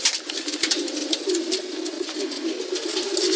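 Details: Pigeons cooing together in a low, murmuring drone that runs unbroken through the clip, overlaid with constant sharp clicks, scuffles and rustling from the flock.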